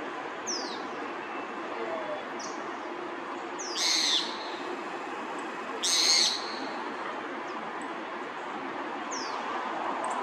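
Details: A small roadside hawk (Rupornis magnirostris), spooked by other birds' tweets, gives two harsh, nasal squeals about two seconds apart, with thin high chirps of small birds and a steady background hiss.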